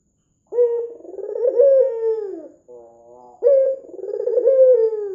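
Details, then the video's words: Lure bird, a white dove with red eyes, calling vigorously: a vibrating rolling coo ending in a long sinking note, a quiet murmuring gap, then the same phrase beginning again. "PANCINGAN PUTER PUTIH MATA MERAH GACOR"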